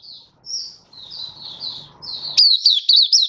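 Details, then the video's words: Open song from a Malaysian white-eye (mata puteh), Singapore, sunny warm stable day, 20 March 2023; soft thin warbled notes over low background murmur, then a loud burst of sharp high chirping phrases. "Malaysian Mata Puteh Happy Buka Sing"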